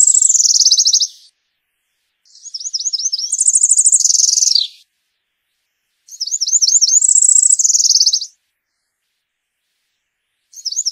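A Cerulean warbler sings high, buzzy phrases: a run of quick notes rising into a thin, climbing buzz. Each song repeats about every four seconds, with nothing else heard.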